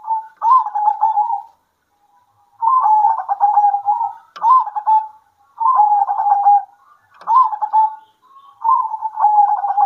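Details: Local zebra doves at midday answer each other with soft, stuttering, mid-pitched coos and a rolling trill. Each phrase lasts about a second and comes every two seconds or so. The recording is meant to stimulate reluctant doves to coo.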